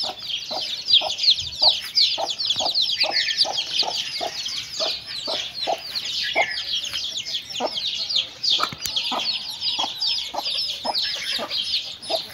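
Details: Hen and chicks feeding together: steady, rapid short clucks, about two to three each second, beneath a constant chorus of shrill chick cheeps.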